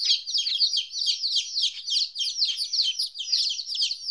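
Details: A crowd of 14-day-old chicks, newly separated from their mother for the first time, give shrill, downward-sliding peeps in a thick unbroken chorus.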